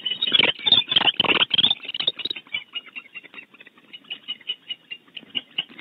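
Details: Barn owls at a nest cavity at Starr Ranch, California, female and male defending it vocally: loud, harsh, broadband bursts in the first two seconds, then a quicker run of short, clipped chittering notes that gradually fade.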